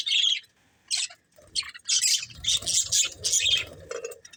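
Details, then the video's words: Budgerigars give high rasping squawks and chirps, isolated calls at first, then a steady chattering run of harsh notes. "Cute Budgies Chirping Sounds"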